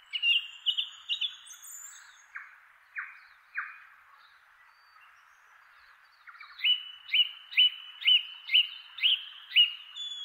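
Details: Male song thrush singing from the top of a chestnut tree in inland Kapiti, New Zealand: short repeated whistled phrases, then three harsh descending notes, then a run of about nine loud whistled notes repeated twice a second.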